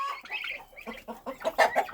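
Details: Turkey hen responding on hearing poults being moved to a new pen: a run of four or five short, clucking yelps in quick succession, with soft background chatter from other poultry.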